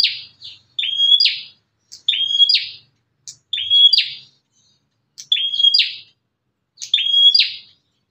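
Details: Bar-winged prinia outside its cage, an aggressive bird whose call is used to lure and stir other prinias into calling; a sharp short note then a thin level whistle ending in a buzzy burst, phrases repeated roughly every one and a half seconds, clean background.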